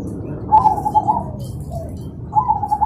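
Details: Zebra dove (perkutut) singing in the morning, birds answering each other: two short phrases of soft stuttering coos around mid pitch, separated by a quiet gap, over low background rumble.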